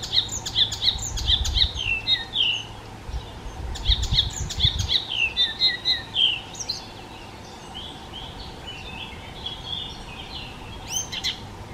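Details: Icterine warbler in sustained mimicking song: rapid, varied phrases of whistles, trills and clicks pouring out for about seven seconds, then a pause and a final sharp burst; low hum early on.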